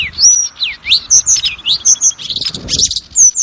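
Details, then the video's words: Kacer (Oriental magpie-robin) lure song meant to trigger singing and build confidence in other birds: loud, fast alternation of upswept whistles and high piercing notes, richly varied, with little background sound. "SUARA PANCINGAN BURUNG KACER AGAR CEPAT BUNYI DAN GACOR"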